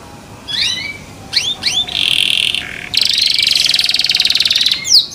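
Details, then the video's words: Canary singing said to make other canaries join: scattered rising whistles, followed by long buzzy trills and a final sharp whistled note. "THE SOUND OF CANARIES CAN MAKE OTHER CANARIES JOIN TO SING"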